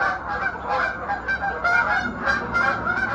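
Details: A flock of geese flying past and circling back at sunrise over a lake in South Georgia, US, honking in many nasal, overlapping calls in a steady clamor, with bird chirps and distant morning traffic.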